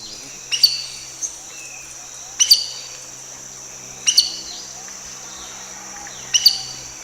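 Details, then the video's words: Collared aracari in Costa Rica giving its main vocalization, short, sharp, high whistled notes, four of them about two seconds apart, over a steady high insect drone. "Y esa es la vocalización principal que hace esa especie. Es básicamente un silbido muy corto, muy sencillo."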